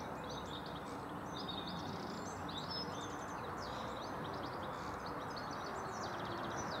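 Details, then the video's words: European goldfinch singing: a continuous stream of fast, tinkling, high-pitched twitters and short trills lasting about seven seconds, heard against a steady, loud broadband background hiss. "Goldfinch singing"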